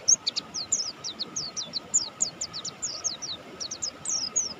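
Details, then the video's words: Singing mountain white-eye of the Buxtoni form: a rapid series of high, thin, downslurred chirps, about five per second, evenly delivered with little pause, over faint background hum. "suara burung pleci Buxtoni gacor"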